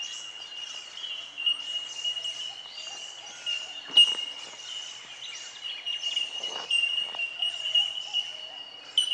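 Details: At Benarkin in south-east Queensland, a chorus of bell miners (bellbirds) gives steady, ringing, bell-like pings, one high tinkling note repeated over and over by several birds at once.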